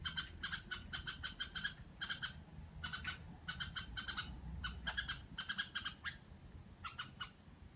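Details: Pet red-whiskered bulbul delivering a long series of harsh, grating notes in clustered bursts, nearly continuous, over a low rumbling background.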